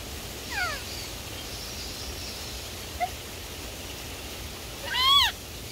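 A rainbow lorikeet gives two short, nasal, downward-sliding vocalizations about four seconds apart, with a faint click between them over steady background hiss.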